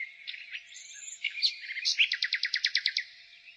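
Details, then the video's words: Springtime nightingale song: soft warbled notes build into a loud, evenly spaced series of about a dozen sharp repeated pulses, each roughly a twelfth of a second apart, over faint background twittering. "Nightingale singing"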